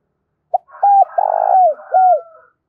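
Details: Decoy-training call of a spotted dove for trapping: a quick opening note, an arched coo, a long rattling coo sliding downward, a final falling coo, with a faint higher whistle and murmur behind.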